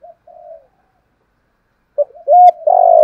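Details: Spotted dove, a decoy bird in the thổ voice style used to lure wild doves, cooing in low hollow notes: two soft coos, a pause, then a louder run of throaty coos ending in a long rolling coo.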